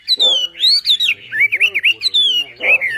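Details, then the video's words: Lively singing from a Javan pied starling, masteran style with 'tembakan' bursts: loud descending and arching whistles, a chain of quick looping slurred notes, and a short raspy burst near the end. "MASTERAN BURUNG WAMBI FULL TEMBAKAN GACOR DOR"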